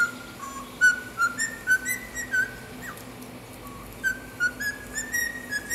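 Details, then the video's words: A cockatiel whistles learned melodies (national anthem, wolf whistle, Star Wars) in clear, pure notes, stepping up and down between held tones with short slides, about a dozen notes in a few seconds. "ASSOBIO DE CALOPSITA - Hino nacional/ fiu-fiu/ star wars"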